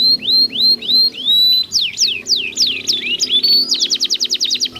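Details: Pair of canaries singing back and forth, meant to stimulate silent or moulting canaries: repeated upward-curving whistles, then swooping slurs, a buzzy steady note, and a fast even trill of sharp chirps near the end.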